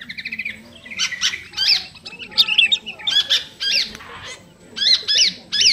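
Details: A sooty-headed bulbul sings vigorously toward a rival, giving squeaky, scratchy upslurred notes in uneven groups over a busy background rustle.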